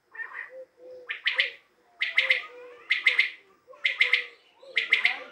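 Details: Common quail from Tajikistan giving its three-note call, a sharp clipped triplet repeated about once a second, with soft low warbling sounds between the calls.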